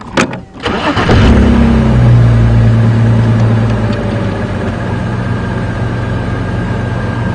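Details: A vehicle engine cranks and starts, then settles into a steady low idle with no animal calls.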